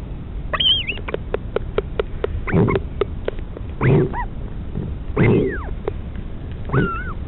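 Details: Mother northern royal albatross feeding her chick in the colony at Pukekura/Taiaroa Head, Dunedin, New Zealand; a rapid series of sharp clicks, harsh broad gurgling bursts and a few high wavering squeals, with wind rumble throughout.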